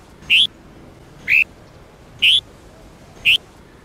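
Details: Red-whiskered bulbul of the Sông Kôn type, used for daily training of other bulbuls: four short, bright, slightly rising single notes, evenly spaced about once a second, over a quiet low hiss.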